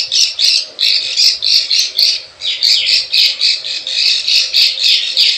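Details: Plain prinia lure call for attracting wild birds, a rapid series of harsh buzzy chattering notes, about three to four per second, loud and continuous with short breaks.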